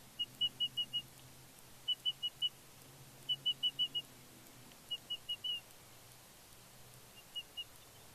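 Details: Fledgling bald eagle at Big Bear on 31 May 2022, on her fledge day, squeeing excitedly as her father flies in with a fish: bursts of four or five short, high chittering notes, repeated every second or so, over a faint low hum.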